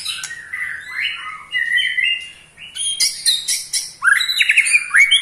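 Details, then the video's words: Ketrekan of an eight-month-old Pastol white-rumped shama, meant to provoke other shamas: rising whistled notes followed by a bright high rattle and fast descending chatter. "KETREKAN Pastol 8 bulan Bikin EMOSI murai Lain"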